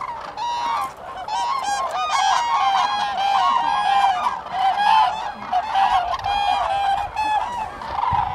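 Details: At Lake Hornborga in Sweden, April 2017, common cranes call together in a crowded flock. Ringing, rolling trumpet notes overlap without pause, rising and falling in loudness.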